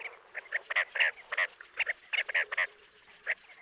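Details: Chestnut-bellied sandgrouse near Jeddah, Makkah Region, Saudi Arabia: a rapid run of short, throaty, chuckling notes, several per second, overlapping as if from a few birds, with a faint steady hiss behind.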